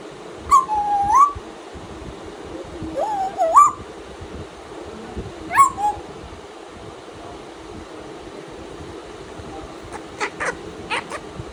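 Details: A female pet African grey parrot's morning calls: three whistled phrases that swoop down and then up, a few seconds apart, followed by a quick series of sharp clicks.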